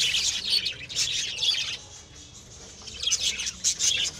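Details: Pet lovebirds at home giving a dense burst of shrill squeaky chatter, a brief lull, then more sharp high chirps.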